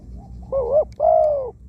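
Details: Spotted dove decoy bird, a wild-caught bird noted for a small voice and many coos, used on the ground to lure doves. A single two-part phrase: a brief wavering coo, then a longer level hollow coo. Faint low background noise.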